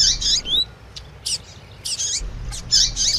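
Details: Double-collared seedeater with a female's chirping call in a tui tui singing session; short bursts of high buzzy notes and a couple of rising whistles, spaced unevenly with quiet gaps between.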